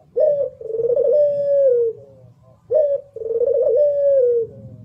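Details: Puter pelung, a local competition Barbary dove, gives two clear phrases: a quick clipped opening note, a short gap, then a sustained throbbing coo easing downward at the end.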